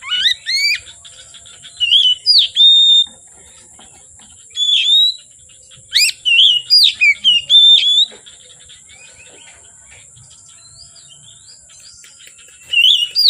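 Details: Short bursts of song from an oriental magpie-robin between afternoon and dark, bright whistled slurs and sharp rising notes in clusters separated by long quiet gaps, a steady high whine in the background.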